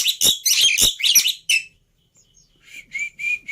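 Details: Black-winged myna in a tutor and lure recording of easily copied song phrases: loud, grating, harsh chatter for about one and a half seconds, silence, then three thin upslurred whistles repeated about every quarter second.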